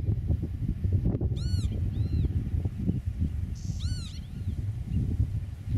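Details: Eurasian oystercatcher on the nest among meadow birds, camera placed about 8 metres away: two strong arched piping notes about two and a half seconds apart with a fainter note between, over constant deep rumble.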